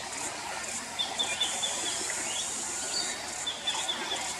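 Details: Australian birds singing: thin, high, drawn-out whistles recur at intervals, some sliding slightly, over a steady hissing drone that runs throughout.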